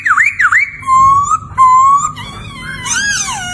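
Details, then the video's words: Laughingthrush (poksay) song used as master song to train songbirds such as magpie-robins and lovebirds: looping whistled dips, two level pure whistles, then bright wavering harmonic-rich notes. "Suara Merdu Burung Poksay Gacor"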